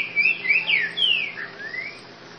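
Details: Song of a trinca-ferro in grego boca mole style, clear whistled notes sliding down in three quick bursts, then a long falling whistle and a gentle rising tail note, steady hum behind.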